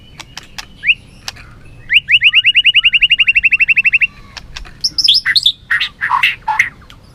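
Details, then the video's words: White-rumped shama singing in competition, tail flicking: a fast, even trill of about twenty identical upslurred notes over two seconds, then a burst of varied, harsher whistled and chattering notes, with faint clicks. "Chòe lửa hót đấu, đập đuôi cực hay"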